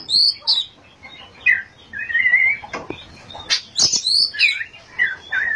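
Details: Energetic 'ngerol' and 'nembak' song from an Oriental magpie-robin: high swooping whistles, a buzzy wavering phrase and sharp clicking notes in fast, irregular succession.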